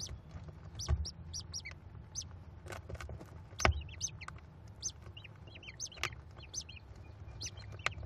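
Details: Five hungry American kestrel nestlings beg while the mother feeds them leftover rodent at a Cornell nest on 18 May 2021; dense, overlapping high thin squeals and chips repeat throughout, with occasional sharp knocks and a steady low hum.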